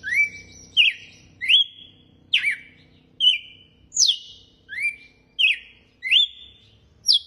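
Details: Red-cowled cardinal in açoite song: about ten loud whistled notes in steady succession, two every second or so, mixing rising and falling slurs that each hold briefly on a clear tone. The background is quiet.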